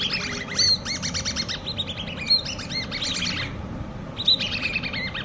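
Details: Hand-reared common babbler chicks calling loudly in dense runs of high, arched chirps with occasional sharper squeaks. A one-second pause near the end is followed by renewed chattering over low background hum.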